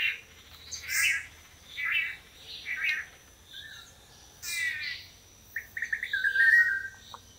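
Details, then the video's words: Long-tailed manakin males displaying in turns at a courtship lek in Costa Rica, where females choose mates: soft noisy bursts about once a second, then a rapid stuttering series and a clear whistled note near the end. "Courtship Dance of the Long-tailed Manakin"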